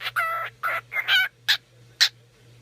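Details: Jasper, a 2-year-old male yellow-faced cinnamon cockatiel, gives short, reedy, whistled phrases of "If You're Happy and You Know It", ending in two sharp chirps.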